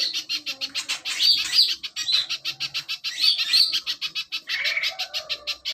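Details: Little spiderhunter in full song for songbird training: quick, evenly pulsed high chips run continuously, broken by a few bright whistled accents and a lower warbling phrase near the end.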